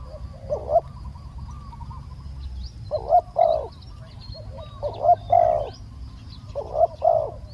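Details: Spotted dove cooing, used as a decoy for catching a wild bird: fainter, spaced pairs of short hollow coos every two seconds, separated by stretches of low background rumble.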